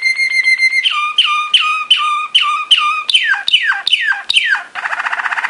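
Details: Training song of a Belgian Waterslager canary: a steady whistled note, then a series of clear descending slurred notes repeated about once a second, ending in a fast buzzy roll.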